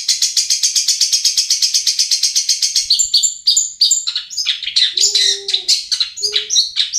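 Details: A long-tailed shrike from Pamekasan, Madura, sings: three seconds of rapid, high chattering notes, about five per second, then a jumbled run of varied squeaky phrases with a few lower whistles.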